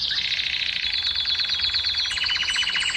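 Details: Canary in full song, played to encourage females to mate: a rich rolling trill of fast repeated notes, layered high buzzy tones, with crisp chips at the close.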